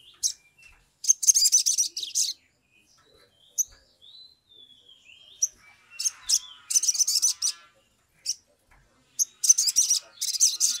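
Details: Sumatran leafbird in an excited singing mood, recorded as a lure to get birds singing quickly. Repeated bursts of fast, buzzy, very high trills alternate with short slurred whistles and quieter twittering between phrases.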